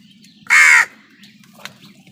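A crow gives a single loud, harsh caw lasting about a third of a second, followed by faint, brief sounds against a low background hum.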